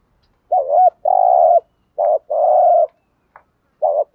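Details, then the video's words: Spotted doves, male and female, cooing in the morning, used to stimulate trained doves to call. Clear low hooting coos in short and drawn-out phrases, with brief gaps between them and no other sounds. "chim cu gáy kích bổi thúc gáy gọi bổi buổi sáng"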